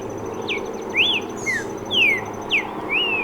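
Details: Streaked saltator singing a sequence of pure whistled slurs, some rising then falling, others dropping steeply, roughly one every half second, with a faint high steady tone and low background hum.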